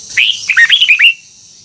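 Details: A single brisk phrase from a red-whiskered bulbul, trained toward double-note song: about a second of bright, looping notes, first a rising sweep, then five quick curled chirps.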